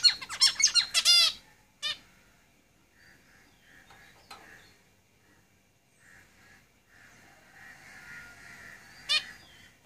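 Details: Caged zebra finches: a quick cluster of nasal, harmonic-rich notes in the first second, one more note near two seconds, then near quiet with soft tones and a single sharp note late on.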